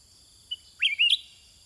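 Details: Sooty-headed bulbul calling back to wild birds with a single rich, warbled phrase rising sharply then rolling in two bursts, preceded by a short note; steady insect drone behind.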